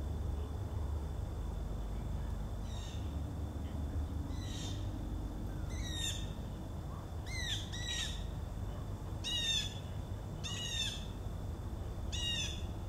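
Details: Blue jays calling in the background on 4 September 2014 beside Joe Pye weed visited by monarch butterflies: harsh, harmonic, down-slurred jay notes in single and paired bursts, roughly every one to two seconds, over a steady low rumble.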